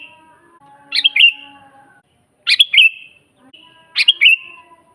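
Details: Energetic sooty-headed bulbul song meant for training birds and attracting wild ones: three short chirping phrases, each two or three quick notes ending in a trailing whistle, about one and a half seconds apart over a faint steady hum.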